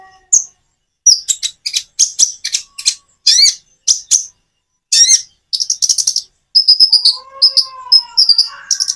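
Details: Common iora song with natural pauses, made as a lure to prompt reluctant birds to answer: bright, high chirps and sharp whistled notes in short bursts split by brief silences, then rapid buzzy trills and a lower drawn-out whistle near the end.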